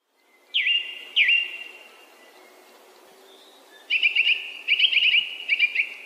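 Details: Song thrush singing: two sharp whistled phrases with a quick downward twist, a pause, then rapid clusters of chattering, scratchy notes repeated several times, clear against a quiet background.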